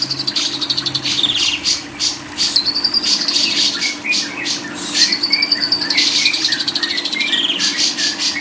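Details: Lovebird delivers a long, busy string of harsh chirps and squeaky whistled glides, with some notes bending up and down, nearly unbroken for several seconds, recorded as training audio for songbird keepers.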